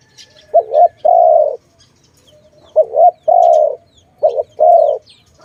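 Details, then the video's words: Dove recorded during bird trapping, calling three evenly spaced phrases. Each is a fast two-pulse note and then a long, smooth, low coo, with near silence between phrases and faint high bird notes behind. "Sound of good dove"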